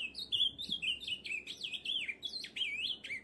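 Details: An Ultramarine Grosbeak (azulão) of Brazil sings a rich, continuous warble of high whistled notes that slide up and down in quick, looping phrases, with no other sounds.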